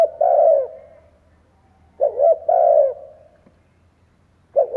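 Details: Spotted dove decoy bird cooing to stir other doves into calling: low, mellow phrases of two quick clipped notes and then a long drawn-out coo, repeated about every two seconds in a quiet setting.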